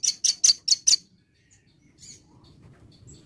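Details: Five loud, sharp, very high chips in quick succession from a velvet-fronted nuthatch in the morning, followed by near silence with a faint distant note.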